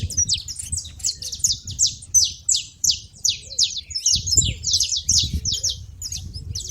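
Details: Saffron finches calling at a feeder: a steady stream of short, sharp, high chirps, roughly three per second, from more than one bird, with a muffled low thump midway.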